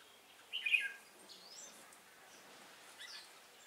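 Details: Red-whiskered bulbul used as a decoy for trapping, singing a fighting song on 10/12/2016; one short, loud warbled burst near the start, then faint distant chirps from other birds over quiet background hiss.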